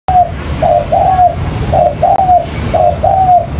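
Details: Spotted dove calling as a lure for trapping, mailai style: soft mid-pitched coos in short two- and three-note phrases, each final note drawn out and slightly falling, over low rumbling background noise.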